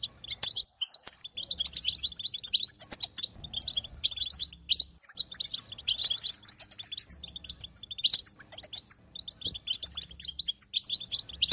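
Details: A female European goldfinch calls to coax a quiet male into song, giving a long, nearly unbroken run of rapid, high, liquid twitters and chirps in irregular bursts.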